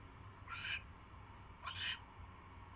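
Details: Barn owl nest, 27 January 2016 at night, mouse being delivered: two fainter rasping hiss bursts about a second apart within a noisy hum with small clicks.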